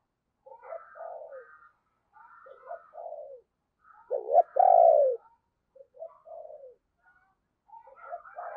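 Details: Spotted dove kept as a decoy, calling wild birds in the morning; soft, low cooing phrases of short notes and falling coos, building to one loud burst of hooked notes and a long resonant coo near the middle.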